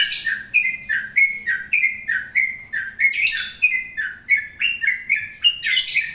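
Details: Long-plumed bulbul singing a lively, bubbling run of short two-part chirps, each dipping then rising, repeated about twice a second with occasional brighter, higher bursts; quiet background.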